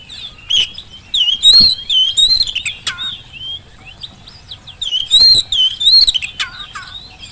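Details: Lure recording of a singing Oriental magpie-robin meant to make lazy birds call back; two bursts of rich whistled phrases mixed with scratchy buzzes and downslurred notes, separated by a brief quieter pause.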